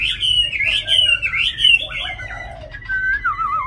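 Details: A purebred Chinese hwamei singing well, shown as a bird with fine plumage and form, sings a loud, rich run of varied whistled phrases that slur up and down, with no pauses and only light background hiss.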